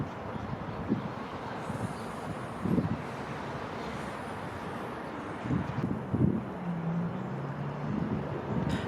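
Outdoor wind rumble and passing vehicle noise, with a few faint low murmurs and no clear animal calls.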